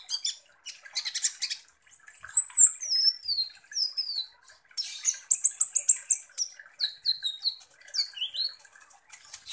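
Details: Long song bout from a kolibri ninja sunbird used to provoke other birds: buzzy high twittering, then a series of thin descending whistled slurs repeated about every half second, and more chirp runs.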